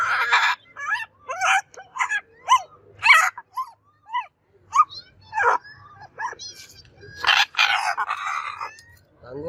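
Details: Macaw parrot calling: a rapid series of short, harmonic, squawk-like notes that bend in pitch, coming about every half second, followed by a longer, harsher drawn-out burst near the end.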